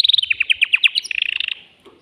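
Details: Male canary in a cage, singing vigorously to excite a female before mating. A fast series of bright, slurred chips leads into a tight, rapid rattle that fades out after about one and a half seconds.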